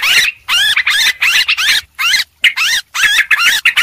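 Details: Noisy Sooty-headed bulbul calling used as a bird lure: loud bursts of rolling, wavering chatter about half a second long, separated by short clean silences.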